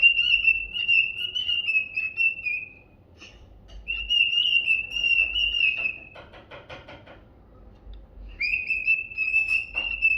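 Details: In the evening, a male cockatiel stands tall with his crest raised and sings long, steady, soft and confident whistled phrases to court a calm female who listens quietly.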